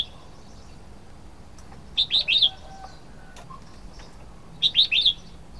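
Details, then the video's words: Red-whiskered bulbul calling: two bright bursts of three quick, chirpy, up-and-down notes, about two and a half seconds apart, with faint lower background sounds between them. "Red-whiskered bulbul sound 07"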